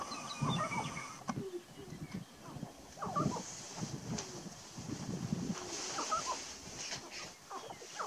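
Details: Several male sharp-tailed grouse on a lek in Burwell, Nebraska, on 29 March 2018, give a steady chatter of low, hollow clucks and short grunting notes, with higher squeaky whines breaking in now and then.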